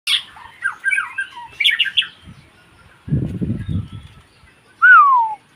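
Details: White-rumped shama singing in short bursts: varied chirps and slurred notes, then a loud clean whistle sliding downward near the end, separated by a low rustling noise.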